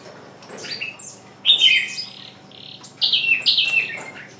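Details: Decoy bird calling to lure wild birds, which do not come in; bright chirps and sharp, falling high notes in short irregular bursts, some loud and squeaky, over faint low hum.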